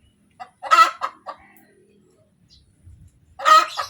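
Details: Hen calling after laying an egg: a harsh, loud squawk followed by a few clucks, then a quiet gap, then another strident squawk at the end.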